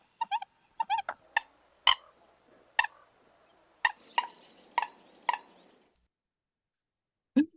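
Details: American Coot in a wetland gives short popping and hiccuping calls, single and doubled, spaced irregularly about half a second to a second apart over a soft marsh background; often heard before the bird is seen.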